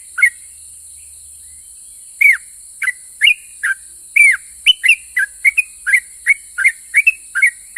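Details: Sooty-headed bulbul in energetic long ropel song, meant to make other bulbuls reply. A lone note, a two-second pause, then a quickening run of bright slurred whistles, several per second, over constant high-pitched hiss.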